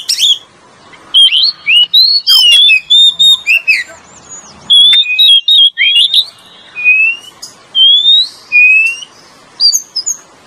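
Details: Varied lure song of male and female Oriental magpie-robins: twisting whistled phrases and sharp chirps early on, then spaced, clean rising whistles repeated every second or so, with short silent gaps between them.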